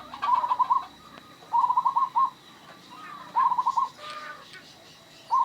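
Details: Local zebra dove, described as singing readily with an unusual, rare voice: loud phrases of quick, clipped, rolling coos repeat about every two seconds. Soft chirps from other birds sound faintly in the background.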